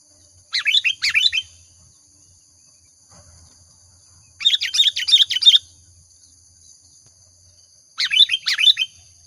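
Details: Energetic sooty-headed bulbul lure song: three separated bursts of rapid, chattering, slurred notes, each lasting about a second, with a faint low murmur between them.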